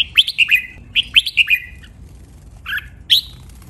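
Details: Red-whiskered bulbul training song, double style, 23 counted phrases. Two lively whistled phrases come back to back, then after a short pause a harsh buzzy note and a single rising whistle.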